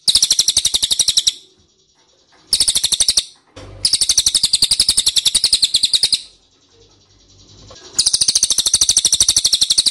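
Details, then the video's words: Long trains of fast, evenly spaced, shrill chirps from an ashy tailorbird, used as an answer-provoking lure. Four bursts of differing length are separated by short quiet gaps. "PANCINGAN CILILIN DIJAMIN NYAHUT"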